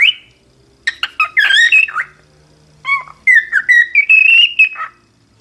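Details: Cockatiel song with a sharp opening whistle, then a tumbling burst of warbled and chirpy notes, and a second phrase of sliding whistles that rise and hold, ending abruptly.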